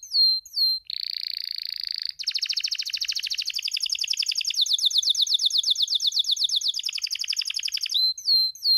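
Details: Spanish timbrado canary, a male in breeding condition, delivers rapid rolling trills: a sustained buzzy tone, then long even strings of quick repeated notes, framed by short descending whistled slurs at start and end.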